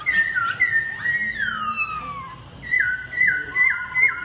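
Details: Laughingthrush in a singing contest: whistled notes, a long falling glide, then a steady string of downslurred whistles repeated about every half second.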